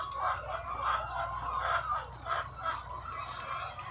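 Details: Thousands of egg-laying hens on a farm make a dense, continuous chorus of overlapping clucks and squawks, rising and falling in waves, over a steady low mechanical hum.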